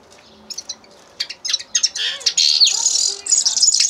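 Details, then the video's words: Scattered high chirps from a common linnet quicken into a full, fast twittering song with buzzy trills in the second half. "carduelis cannabina singing"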